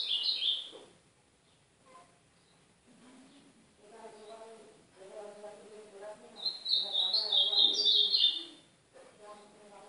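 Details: Ultramarine grosbeak singing in the Brazilian Northeast style, used as a training song to warm up a pet seedeater: a brief high warbled note opens, then a longer sweet phrase of rising and falling whistles, with low talk-like murmuring between.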